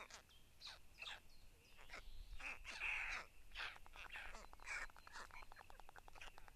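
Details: White storks at their nest in Tukums municipality on 31 May, adults feeding growing chicks, the smallest included; dense harsh rasping calls overlap with rapid rattling pulse trains, loudest near the middle, over a steady faint background hum.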